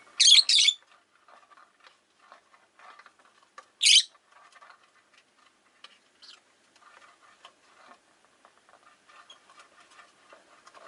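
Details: A rapid double shriek, then a single grating chirp, from five caged Rosy-faced lovebirds by a window; soft twittering and faint street murmur fill the gaps.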